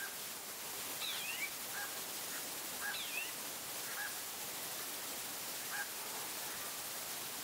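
A female Band-tailed Antbird gives sharp, high, down-slurred notes and softer short calls at irregular intervals of one to two seconds, over a steady background hiss.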